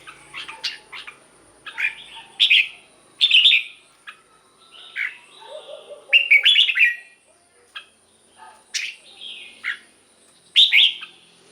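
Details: Lively red-whiskered bulbul song for stimulating caged birds or for decoy use: a busy run of short whistled and chirpy phrases, some sharp and buzzy, tumbling one after another with brief pauses.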